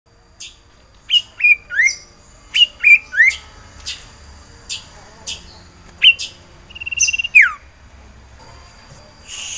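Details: Caged sirtu (common iora) in breeding condition, calling for a female to mate: bursts of short upslurred whistles near two kilohertz, often in pairs or triplets, separated by sharp clicks and brief pauses, over low background hiss.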